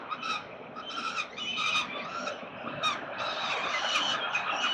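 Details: Peregrine falcons at their Melbourne nest, Australia, 13 November 2022: a continuous stream of high, raspy squeals rises and falls, with tonal overtones, over a steady hum of city traffic.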